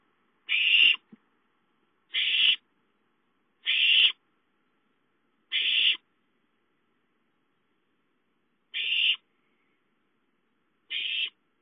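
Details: Hungry owlets at home on 5-9-13 give six short, harsh hissing screams, four in quick succession, then a three-second pause before the last two.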